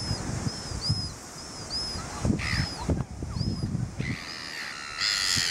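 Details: Immature black-backed gulls on New Zealand's South Island give a run of thin, arching high notes, then harsher, hoarse squawking calls near the end, over a low rumble of wind or surf.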